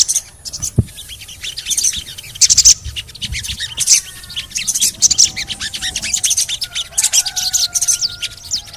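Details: Crimson sunbird (sogon) in a lure recording meant to set silent sogon singing, gacor ngleper style: dense, very high sharp chirps and short twitters in bursts, with faint lower whistles underneath.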